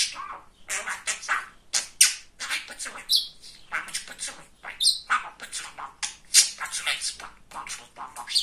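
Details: A male talking budgerigar kept as a pet, described as very chatty and funny, chatters continuously in quick high, scratchy syllables, with buzzy bursts and occasional thin squeaks packed closely together.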